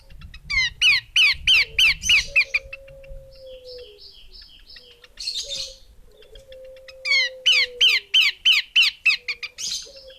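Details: Female Horsfield's babbler giving two rapid runs of sharp, down-slurred chips, roughly eight notes each, separated by a raspy burst; a long, low, steady drawn-out tone hums between the runs.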